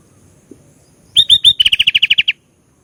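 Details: Sooty-headed bulbul singing energetically: three loud slurred whistled notes, then a quick run of about ten short bright chirps, all in one burst of under two seconds against a quiet background.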